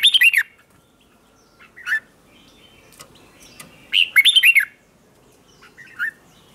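Red-whiskered bulbul gives bright, bubbly whistled phrases in two bursts, arching up and down, with short single notes between; a quiet background.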